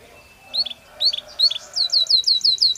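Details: Belgian canary singing naturally, beginning with a few paired chirps at a gentle pace, then speeding into a run of quick repeated downward-slurred notes.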